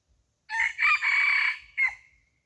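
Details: Red junglefowl decoy crowing to lure wild junglefowl: a loud, hoarse, drawn-out crow rising through several segments, then a final short, tailing phrase, in otherwise near silence.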